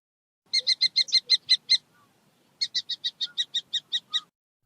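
A falcon gives two bursts of harsh, high, rapid notes, about eight in each and roughly five per second, separated by a brief pause; the background is otherwise quiet.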